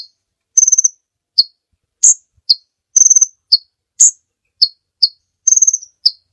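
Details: Sunbird, locally kolibri ninja, singing loudly for use as a master recording: piercing single chips mixed with brief buzzy trills, a rapid irregular sequence of about a dozen notes.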